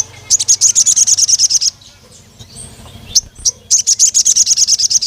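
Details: Crimson sunbird (sogon) calling to a rival male: two long, even trills of quick, very high metallic chips, roughly a dozen notes per second, separated by a short pause with faint background hum.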